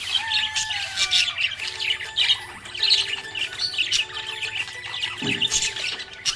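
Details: Budgerigar chirping happily, with busy bursts of high scratchy chatter and squawky notes, plus a long sliding whistle near the start, set against held background music tones.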